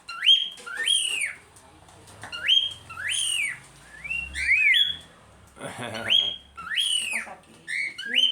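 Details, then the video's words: Pet cockatiels chattering and calling, several birds together; loud grating calls that sweep up sharply then curve down, repeated in quick pairs and runs across the recording, with faint human voice and handling noise. "as calopsita fazendo barulho"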